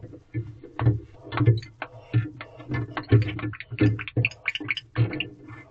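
A person talks in choppy bursts at an owl box camera in the early morning, with no animal voice heard.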